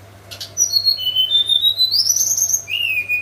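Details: Hill blue flycatcher singing nyuling-style in the morning: long, pure, very high whistles sliding slowly upward in one continuous phrase, then dropping to a lower held note, against a faint low hum.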